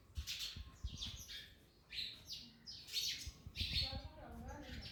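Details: Parrots eating an orange, giving bursts of harsh, high chirping calls about once a second, with some low-pitched chatter and clicking sounds in the background.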